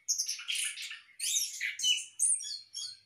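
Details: Captive orange-headed thrush in a hanging breeding cage delivers dense, scratchy, high-pitched phrases almost without a break, mixing harsh chatter with a few clearer whistled notes.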